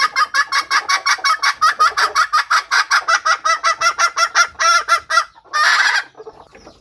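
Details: Hen red junglefowl giving a decoy call to attract wild cocks; quick harsh clucks follow one another about four per second, ending in a longer rough burst and soft trailing notes.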